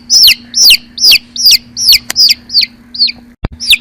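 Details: Baby chicks chirping: loud high peeping notes, each a bright downward-slurred cheep, repeated roughly every third of a second with a short gap near the end, over a faint low steady hum.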